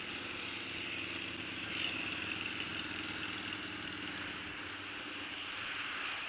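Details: Constant mechanical hum and hiss, like an idling engine, with no animal calls standing out.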